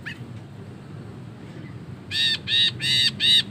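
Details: Ashy bulbul giving the long 'ngekek' chatter used for tutoring songbirds: after a quiet second, four loud nasal, rasping notes follow in quick succession at roughly three per second.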